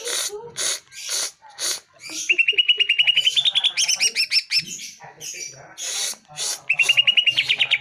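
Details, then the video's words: Cucak ijo, the greater green leafbird, sings to stir caged birds into answering: a few harsh rasping notes, then a long rapid string of clear whistled notes climbing slightly in pitch, followed by more rasps and whistles. "Pancingan Suara Burung CUCAK IJO Dijamin NYAUT"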